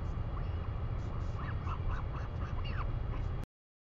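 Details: New Zealand recording of northern royal albatross from 3 May 2020, with a quick series of short arched notes in the middle seconds over heavy low wind roar, ending abruptly.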